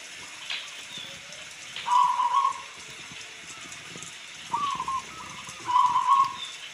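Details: Local zebra dove singing very clearly, set against steady rain: three soft, trilled cooing phrases at a mid pitch, each lasting about half a second, with pauses of one to two seconds between them. Raindrops patter throughout.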